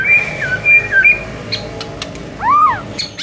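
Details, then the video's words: ['Murai song recording meant to prompt singing: soft level whistles and a slurred note, then a single arched whistle that rises and falls, over steady background hiss.'] "SEKALI DENGAR Murai LANGSUNG NARUNG dengan MASTERAN satu ini"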